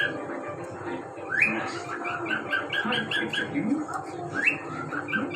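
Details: A pet cockatiel (Nymphicus hollandicus) singing, whistling a run of bright, upward-sliding notes over a murmuring background.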